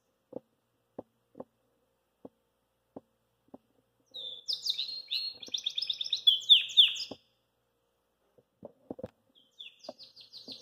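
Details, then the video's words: Belgian canary singing after eating kale: a three-second burst of rapid, high twittering and buzzy trills, framed by sharp low clicks and taps, then a brief further warble. "CANARIO BELGA Comeu COUVE E CANTOU Para Todos"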